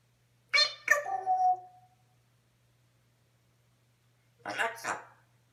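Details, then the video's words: Pet African grey parrot indoors, talking to an Amazon Alexa smart speaker: a speech-like burst ending in a short whistled tonal tail, then silence and a second brief two-part utterance. "African grey parrot talking to Amazon Alexa"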